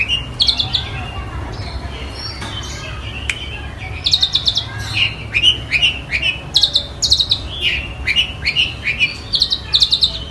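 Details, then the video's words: Long-tailed shrike mimicking a tree sparrow and a tiger shrike, starting with soft scattered notes, then loud downslurred chirps in an uneven run, roughly two per second. "Cendet Gacor suara Gereja Tarung dan Tengkek Buto"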